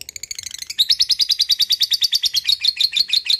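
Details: Lovebird giving its ngekek, a long chattering song: rapid harsh high chirps repeated about three per second, growing louder and steadier after the first second and running unbroken to the end.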